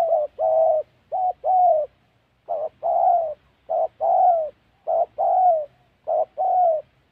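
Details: Spotted dove in the wild forests of Gia Lai, in Vietnam's Central Highlands, recorded during trapping. It gives a clean two-part cooing phrase: a short low note, then a longer mellow coo that slides down. The phrase repeats about six times with brief pauses.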